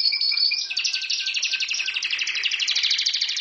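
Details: Pet canary giving a short whistled note, then a rapid rolling trill of many quick notes, bright and steady for the rest of the burst.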